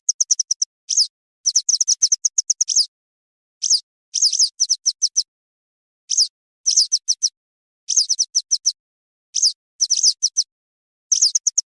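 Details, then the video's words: Western yellow wagtail calls, offered as a sound for catching this bird: sharp, high thin chirps given singly and in quick clusters of three to eight, repeated steadily with short pauses, on a silent background. "افضل صوت لصيد ام رطيز - ام صفيد الصفراء - Western Yellow Wagtail call"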